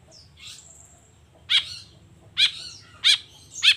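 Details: Long-tailed shrike in the morning: a soft drawn-out whistle at first, then four loud rasping notes roughly every half second to second, over a low steady rumble.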